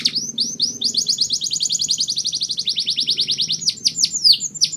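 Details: Mushti canary, its song meant to prepare females for breeding: a long, rapid, even trill of repeated syllables over a faint low hum, closing with several sharp downward sweeps.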